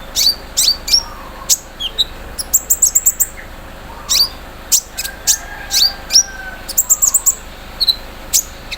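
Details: ["Olive-backed sunbird, kept and set out in the morning dew, pours out high squeaky chips and upslurred flicks in loose clusters, its 'mesin bordir' filler song, over a faint low hum."]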